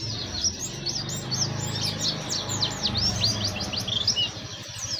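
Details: Oriental white-eye song in ngeriwik style, a high, rapid series of sweeping chirps and short trills, heard over a steady low rumbling background noise.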